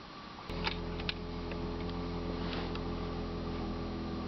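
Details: A constant low fan-like hum fills the room after a sharp click, with a few faint taps and no animal calls.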